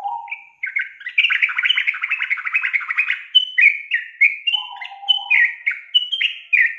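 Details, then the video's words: Sooty-headed bulbul song as a stimulating lure for a young bird reluctant to sing: a dense burst of rapid chattering notes followed by a series of clear, bubbly descending whistles and one lower warble. "SUARA PANCINGAN BURUNG TRUCUKAN untuk memancing trucuk bakalan malas bunyi"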